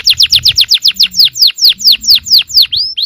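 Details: Yellow canary singing to provoke other canaries into song: a fast run of about fifteen bright, downward-sweeping whistled notes, evenly repeated, slowing slightly toward the end, with faint low background rumble.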